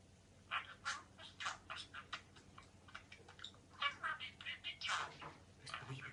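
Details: A budgerigar talks in quick, scratchy bursts of mimicked words and phrases such as "peekaboo", "shine", "jump, beep, beep", chattering in rapid, buzzy syllables.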